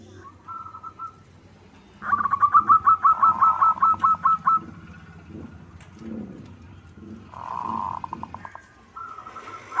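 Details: Singing local perkutut (zebra dove) in manggung style: a faint steady hum, then a loud series of about twelve crisp, evenly repeated coos, with softer rolling phrases later against a low noisy backdrop.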